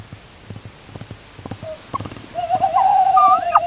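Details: Tawny owls in Estonia on 16 March 2019, a male calling outside and a female answering: faint clicks and taps, then a long wavering tonal hoot-like call with rising inflections near the end.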